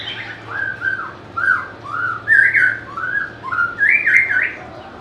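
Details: White-rumped shama, valued for its melodious, varied voice and ability to copy other birds, sings loud fluty whistles in separate phrases, some slurred upward, others with fuller warbled flourishes, against a quiet background.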